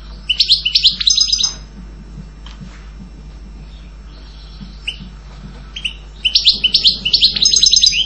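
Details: European goldfinch giving two short bursts of quick, high twittering notes, one at the start and one at the end, with a quiet gap and a few faint chips between.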